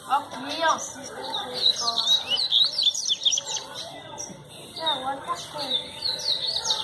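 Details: Double-collared seedeater singing, recorded 24 January 2019: quick, jumbled twittering phrases of high chirps and short slurred notes, with a man speaking Portuguese in the background.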